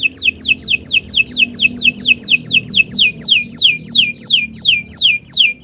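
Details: Morning canary song meant to train other birds, with a long regular run of high falling whistled notes about three per second against soft low background noise.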